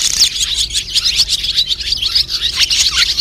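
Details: A dense chorus of white-bellied swallows gives flock-gathering calls, twittering without pause, with high, thin chirps and quick rising notes overlapping throughout.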